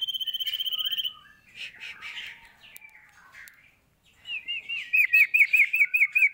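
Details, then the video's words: Sooty-headed bulbul singing vigorously (gacor): a fast, even trill opens, followed by scratchy, jumbled chatter, a brief pause, then a string of about eight looping whistled notes repeated in quick succession. "burung Sirtu Gacor"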